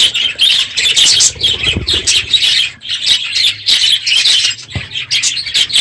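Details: Budgerigars massed in an aviary at the end of the breeding season, noisy in the morning; high twittering and squawks with a few low thuds, possibly wing or perch sounds.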